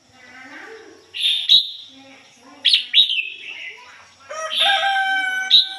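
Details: Red-whiskered bulbul decoy bird giving 'ngoi bổi' song, standard voice with no mixed notes: sharp whistled phrases at intervals, with a low murmuring and a harmonic tonal sound from another source in the background.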